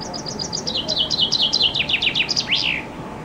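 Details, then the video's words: A common chaffinch sings loudly below a window in summer, recorded on a compact camera from a loggia: bright, rapidly repeated falling notes that quicken and drop in pitch, closing with an emphatic rising-then-falling flourish. "Зяблик поёт под моим окном"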